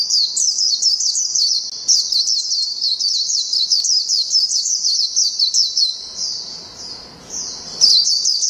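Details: Long twittering "ngalas panjang" song of a Japanese white-eye: a rapid stream of high, thin, slurred notes for about six seconds, a brief lull with faint background noise, then the song bursts back in.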